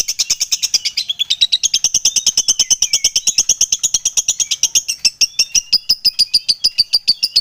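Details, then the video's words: Lively lovebird mixing ticking ngetik notes into a long ngekek chatter, fast high-pitched chirps packed closely together, more than two per second, continuing for over seven seconds with slight pitch wavering. "SUARA LOVEBIRD FIGHTER GACOR NGETIK NGEKEK PANJANG JEDA RAPAT"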